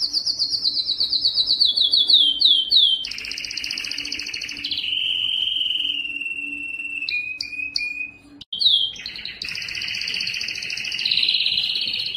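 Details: Canary, yellow, singing a long varied phrase: quick descending chirps, pulsed trills, an extended smooth rolling tour, a short break, then renewed rapid high trills.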